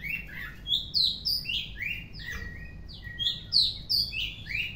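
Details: Rich, varied warbling from an Oriental magpie-robin in the afternoon: rapid clear whistles, upslurs and downslurs at different pitches, one longer even note in the middle, all over low faint background noise.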